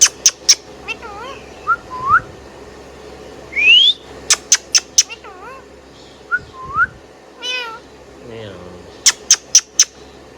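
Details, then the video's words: A pet Indian ringneck parakeet sings. Clusters of three or four sharp high chirps alternate with soft curling whistles and one long upward-sweeping whistle, with quiet gaps between. "Indian Ringneck Parrot Singing Whistling and Chirping Sound"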